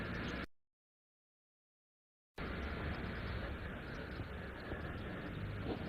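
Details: Steady rumbling vehicle-like broadband noise is interrupted by nearly two seconds of silence, with no animal voice heard.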